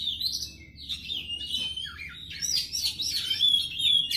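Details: Oriental magpie-robin song: a varied run of clear, bright whistled notes and quick chirps, some sliding up and down, delivered in a rapid, uneven stream with a low background hum.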